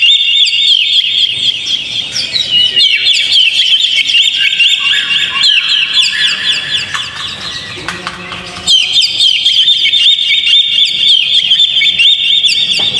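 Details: Oriental magpie-robin lure recording meant to provoke a caged bird into singing: dense, fast chattering and twittering phrases held high and steady, briefly dropping lower and quieter near the middle before the full run resumes.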